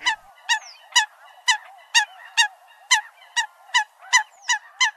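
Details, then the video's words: Eurasian coot calling with short, loud, nasal notes repeated steadily about every half second, and a few fainter whistled notes in between. "Tiếng chim sâm cầm"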